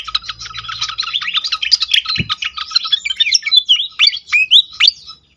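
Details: Pied fantail, used as a lure sound to get other fantails singing: dense squeaky chattering notes at first, then a run of clear whistled upslurs and down-up swoops, with a single low thump midway.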